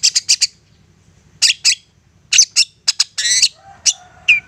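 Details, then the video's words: Long-tailed shrike in persistent, aggressive song used to provoke other shrikes to respond: harsh, scratchy chatter in quick high buzzy bursts, with a brief whistled note near the end. "Cendet ngotot"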